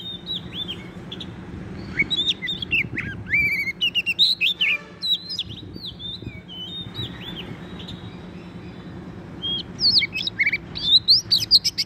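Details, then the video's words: Wild Oriental magpie-robin singing vigorously at a trap site: scattered clear whistled notes, many curling up or down, in bursts separated by pauses, with a steady low hum underneath. "bẫy chích chòe than bổi rừng hót rất sung"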